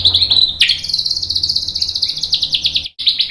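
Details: White-rumped shama song used as a lure: a high buzzy trill, then a long loud run of rapid stuttering high notes with a faint upper layer, a brief gap, and more trilling.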